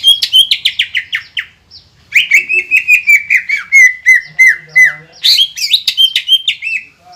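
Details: Green leafbird in lively, continuous song used to trigger other birds: fast high chirping, a short pause, then long strings of bright, descending whistled notes with a faint low buzz, ending in rising squeaky phrases.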